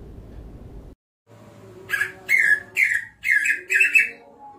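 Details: Greater green leafbird song after a short silence: five loud, buzzy, chattering phrases spaced about half a second apart, with faint lower tones in the background.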